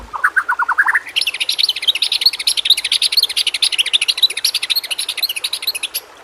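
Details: White-rumped shama (murai batu) singing nonstop in a training recording meant to coax lazy shamas into song: a short run of falling whistled notes, then a fast, steady stream of sharp high chirps and trills.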